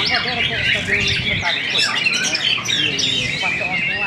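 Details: Competing white-rumped shamas at a fighting contest in Cibinong pour out loud, bright song. Quick whistled sweeps, chattering notes and rising slurs overlap continuously through the clip.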